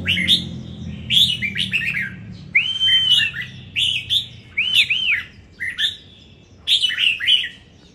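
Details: Caged red-whiskered bulbul from Đồng Nai, Vietnam, singing in a competition: short, bright, warbling whistled phrases with arched and looping notes, delivered in about seven quick bursts separated by brief pauses, over faint low background hum.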